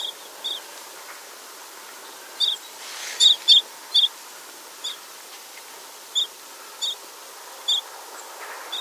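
Tibetan rosefinch giving short, high chipping notes, some paired, spaced irregularly about a second apart over a faint background hiss.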